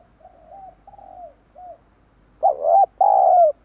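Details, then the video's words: Luring call of a spotted dove for wild doves: a few mellow, soft coos, then two forceful, hoarse coos close together, the second held and falling. "Chim cu gáy kích bổi nhanh nổi hiệu quả"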